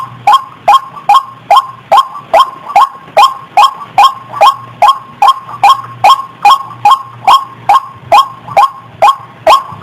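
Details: Long, steady series of about two dozen harsh, clicking, rising notes from a white-breasted waterhen lure call, repeated roughly every 0.4 seconds, with a soft low hum in the background.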